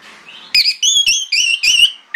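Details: Orange-headed thrush singing in the morning to lure other thrushes to respond: a short series of clear, slightly wavering whistled phrases, each about a quarter second long, given in quick succession.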